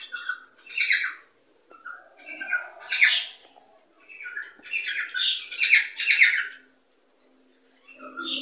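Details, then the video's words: Cockatiel singing, used to encourage cockatiels to mate and breed. Chattering sequences of short whistled chirps and warbles come in clusters with brief silent gaps, and a faint low rustle appears near the end. "صوت لتحفيز طيور الكوكتيل على التزاوج والإنتاج"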